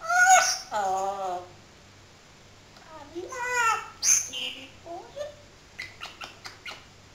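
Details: Pet parrot mimicking human speech indoors: shrill, nasal speech-like phrases in two loud bursts with a pause between, then a rapid string of short clicks and squeaks near the end.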